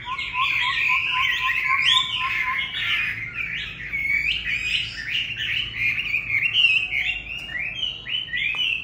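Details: Chinese hwamei, a kept bird going to a new owner, pours out a rapid jumble of bright whistled notes. A separate, low, evenly pulsed series of short notes sounds alongside for the first three seconds.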